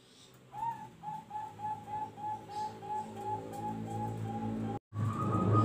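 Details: Zebra dove voicing the noklak nekung song style as a steady string of short, soft, mid-pitched coos about three per second over low background rumble, broken by a brief cutout and then loud humming noise.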